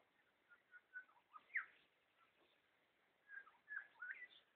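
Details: Red wattlebird, tentatively identified, 21 September 2012: scattered short chirps build to a loud falling note, then after a pause a quick cluster of rising and falling whistled calls, with faint hiss throughout.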